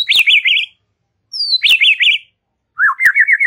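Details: White-rumped shama relaxed chatter song intended to stimulate young and wild shamas: two high zigzag whistled phrases, each opened by a sharp click, then a lower buzzy rising trill.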